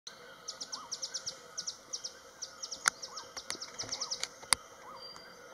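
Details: Beautiful nuthatch in Bhutan's eastern Himalaya in spring, giving its strange insect-like call: quick runs of high, sharp notes in short bursts over a steady insect hum, a soft arched whistle about once a second, and a few sharp clicks.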